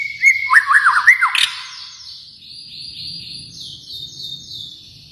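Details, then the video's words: Kalimantan white-rumped shama opens with a short burst of loud slurred whistles and a sharp chip, followed by quieter high, thin notes over a low background hum. "murai batu Kalimantan"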